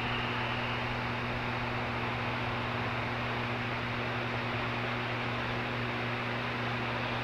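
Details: Dense hiss of static with steady low electrical hum tones running throughout; no animal sound.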